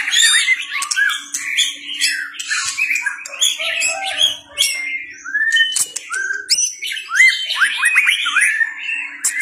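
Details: White-rumped shama in competitive fighting song, tail flicking: a rich rapid stream of varied whistles, slurred rising and falling phrases and sharp high notes, with a faint steady low hum beneath.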